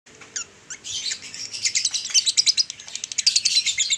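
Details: Male lovebird in long 'ngekek' chatter, a training recording for other males: after a quiet, sparse opening, dense rapid high chirps build up and run fast and unbroken to the end.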